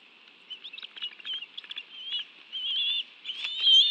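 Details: Bald eagle family at a nest in the National Arboretum, Washington, D.C., in June, adults having brought fish for the young; soft, thin, high chittering notes that build into longer whistled squeals toward the end.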